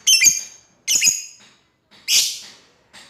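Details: Lovebird calling to an opponent with three harsh, chattering, high calls, the first two doubled and ringing, the last a broad rasping screech.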